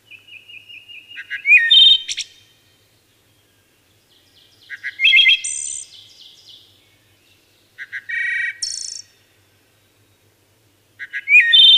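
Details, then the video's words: Wood thrush singing four separate phrases about three seconds apart. Each has soft low stuttered notes, then clear fluted notes, then a high buzzy trill. The background is quiet. "Wood Thrush Bird Singing"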